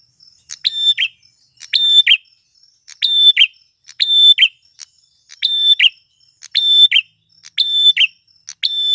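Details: Singing male prinia, used as a lure for wild females, repeating a high whistled note with a quick buzzy ending roughly every second, steady and insistent against a clean, quiet background.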